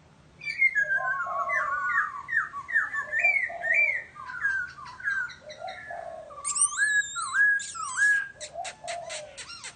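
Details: Lively whistled song from a laughingthrush: a near-continuous run of varied, looping whistles and slurs, followed by a flurry of high, rapid chirps and then lower warbled phrases.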